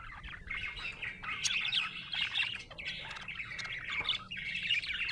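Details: Cheerful budgie chatter: busy, squeaky warbling phrases of about a second each, separated by brief breaks, fairly loud throughout.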